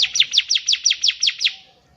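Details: Lively bar-winged prinia song meant for teaching young birds: a single rapid run of about nine high, descending chips at steady spacing, roughly five per second, fading out at the end against a quiet background.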